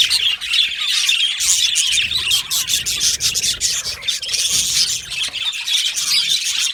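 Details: Yellow male budgerigars kept together in an aviary chatter in a thick chorus of high, scratchy chirps and warbling squeaks, rising and dipping in loudness, with faint rustling beneath.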